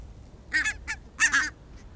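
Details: Barnacle geese walking in the evening in Arabia, 1 October 2014, give short, sharp barking honks: a double yelp, a single note, then another paired burst, loud and close against a quiet background.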